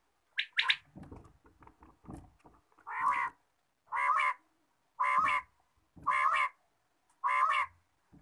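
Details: Morning calls of a quail: two sharp high notes and some soft clicks, then five loud, harsh, even calls spaced about a second apart over near silence.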